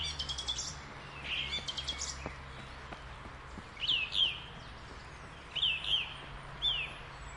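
A thrush sings short, sharp whistled phrases, some falling and some rising, in loose groups spaced a second or two apart, over a faint low hum.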